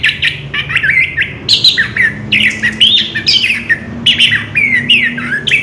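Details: Ngerol song from an orange-headed thrush: a dense stream of mid-high warbled and rising whistled notes, fast and scratchy in places, nearly continuous, with a low hum underneath.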